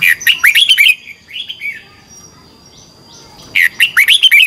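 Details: Red-whiskered bulbul in training-style competition song: loud runs of rapid, bubbling whistled notes at start and end, with softer lower warbled notes and faint thin calls in the gap between.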